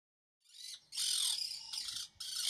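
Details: A Monk parakeet gives harsh, grating, loud, high-pitched screeches in four quick bursts over two seconds, with no other sounds.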